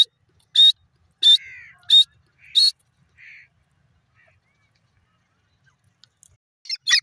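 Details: Four loud, piercing notes from a grey francolin (dakhni teetar) come in quick succession, each followed by a softer trailing note. A quiet pause follows, then another call starts near the end.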